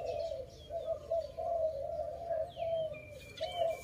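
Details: Low, soft coos from a dove recorded during bird trapping, evenly repeated, with thin whistles and chirps from other birds near the end.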